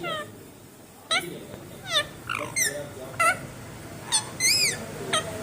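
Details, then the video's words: Indian ringneck parakeet talking indoors: short, squawky, harmonic phrases come in separate bursts about once a second, some rising and falling, against a quiet room background. "Indian ringneck parrot talking"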